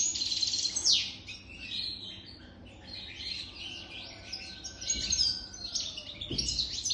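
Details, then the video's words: Singing European goldfinch aged over three years: opens with a sharp descending sweep, then rambles through bright twittering notes and buzzy trills, with a couple of soft knocks in the background. "تغريد طائر الحسون"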